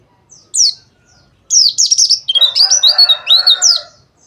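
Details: White-eye dakbal song for therapy: a single high note, a pause, then a lively stream of piercing twittered notes over a lower buzzy grating layer.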